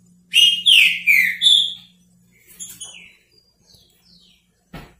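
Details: Green-winged saltator, repetidor style song: four loud, clear whistled notes sliding downward in quick succession, followed by softer distant whistles and a brief knock at the end.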